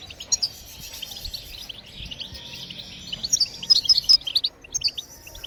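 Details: Goldfinch song used to encourage other birds to sing: soft high twitter at first, swelling into a louder run of quick bright notes and trills toward the end, faint hiss behind.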